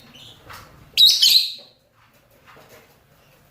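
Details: Rosy-faced and Fischer's lovebirds, males and females, calling to mate: one loud, grating shriek lasting under a second after faint chatter, then near silence.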